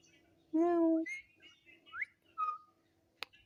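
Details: Pet talking parrot that repeats its name gives one steady voice-like syllable, then softer chattering and rising whistled notes, ending with a sharp click.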